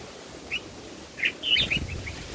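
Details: A mother bulbul feeding her young an oversized bug at a nest in banana plants gives a few brief, high chirps, singly and then in a quick cluster, over soft rustling and low hum.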